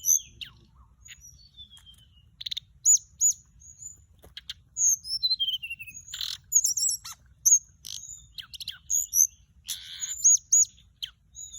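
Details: Over about twelve seconds a flycatcher, recorded as a lure, delivers a run of high whistled phrases with falling slurs, wavering trills and scratchy bursts, the phrases packed closer together toward the end.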